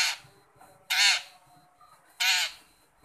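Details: Long-tailed shrike calling, used to call a shy shrike: two loud, harsh, rasping notes about a second apart over quiet background, with a faint steady high tone throughout.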